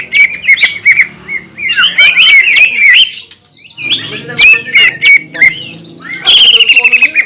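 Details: Spirited green leafbird song used to provoke others of its kind: varied slurred whistles and harsh chatters come in uneven bursts, with a short pause past three seconds before the twittering returns.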